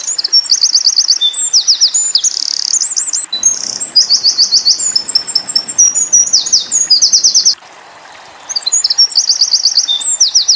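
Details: High, ringing Eurasian wren song, tembakan style, made as tutoring material for pleci. Rapid metallic trills switch between different note types in quick bursts, with a short silence before a final run of trills.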